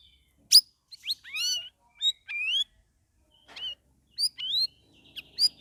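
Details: Straw-headed Bulbul (cucak rawis), a caged bird in its second week out of a group holding cage, now singing vigorously (gacor), gives sharp clicks and bright upward-sweeping whistles in quick phrases with brief silences between.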